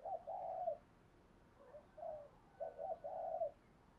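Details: Trained decoy spotted dove calling to stir up wild doves: repeated low hollow coos in groups, softer and set against a steady background hiss.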